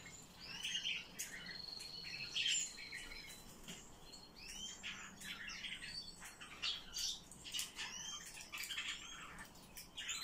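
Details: Eurasian blue tit calling in rapid high twittering, with curved, slurred notes and sharp clicks scattered through the passage, louder around the middle and again near the end.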